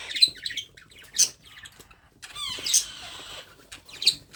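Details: Hand-fed baby parrot uttering sharp high chirps and one longer raspy buzzing call, spaced bursts roughly a second apart in a quiet room.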